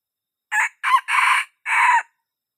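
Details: Crow of a young wild red junglefowl, played as a lure to attract birds. Two clipped opening syllables lead into a sustained middle section and a long falling last note, with nothing else audible.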